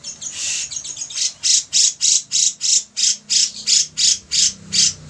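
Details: Grey-cheeked bulbul (cucak jenggot) calling actively: an opening drawn-out rasp, then a steady run of about twelve harsh, high, buzzy notes spaced roughly a quarter second apart.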